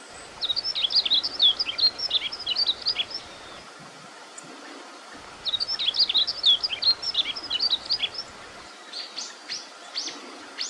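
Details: A female Yellow-throated Bunting gives two bursts of quick, high, thin twittering notes about three seconds long, then a few scattered chips, over a soft background hiss.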